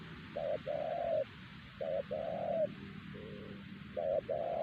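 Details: Wild spotted dove at Siosar, a strong caller that made the decoy bird stop cooing; low hollow coo phrases, a brief note followed by a longer one, repeated about every one and a half seconds, with a faint softer coo between.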